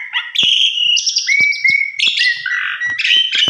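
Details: Javan pied starling (jalak suren) song used as a lure recording, meant to draw a quick response: varied whistled phrases and harsh notes, steady level tones near mid pitch alternating with higher buzzy bursts, a few clicks between.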